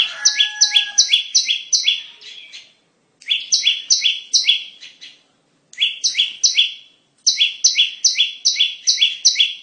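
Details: Bar-winged prinia song played as a trapping lure: four quick bursts of sharp, paired high chirps separated by short silences. A faint, lower whistled tone sounds at the beginning.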